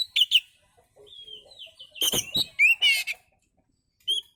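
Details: Oriental magpie-robin singing a relaxed song used as a lure: a few sharp chips, soft quiet whistles, then a dense burst of harsh rattling notes and a buzzy trill, ending on one thin whistle.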